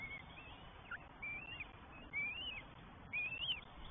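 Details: Three northern goshawk chicks at a nest in the New Forest, 20 May 2023, give thin, high, upslurred begging whines about once a second over soft hiss as first their mother, then their father, feeds them.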